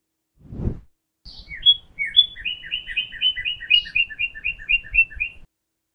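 A cardinal sings a fast series of clear, down-slurred whistles, about two per second, after a brief low thump at the start.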